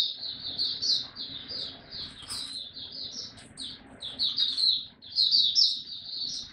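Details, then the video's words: Singapore Mata Puteh, a hobby white-eye, starting to sing again on 31 July 2023. It gives an unbroken stream of thin, high chirping notes rising and falling in quick bursts, with a brief clatter near the middle. "Mata Puteh Buka Sing"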